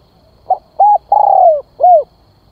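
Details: A spotted dove calls to entice wild doves, delivering one complete phrase: faint opening note, short coo, drawn-out wavering coo sliding down, and a rounded closing coo.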